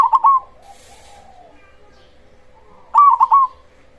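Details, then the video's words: Black cemani zebra dove singing as a lure to provoke other zebra doves. A phrase of three quick coos trails off into a softer cooing note, then after a pause another crisp triple-coo phrase, over a faint hum. "Pancingan Ampuh perkutut cemani gacor suara besar"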